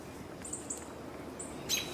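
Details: Two American robins call on 18 June 2022, possibly reacting to something that has caught their attention: thin, very high, drawn-out seee notes, three brief ones within two seconds, over a steady low background rumble.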